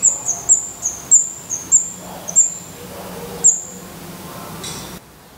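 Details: Nest of black redstart chicks in Portugal, eyes just opened and feathers coming in, giving high, thin, piping begging squeaks in a quick series of about eight notes that then fall silent.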